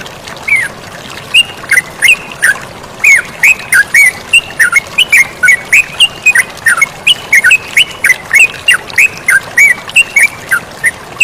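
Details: Flowing water hisses steadily beneath an active yellow-vented bulbul, which delivers a rapid series of bright, slurred chirps at a fairly even pace, about two per second, with rising and falling note shapes.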